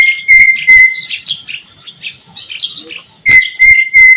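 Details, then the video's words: White-eyed Javan myna singing vigorously with a rich learned repertoire: loud bursts of clipped whistles with a steady tone and bright overtones, broken by harsh chattering notes, then more sharp whistled bursts near the end. "jalak kebo mata putih gacor isian mewah"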